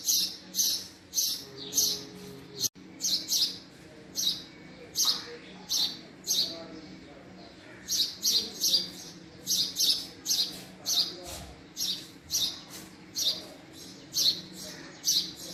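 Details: Male house sparrow calling with a steady stream of loud, piercing chirps, about one or two per second, single and doubled notes repeated throughout over a low background hum.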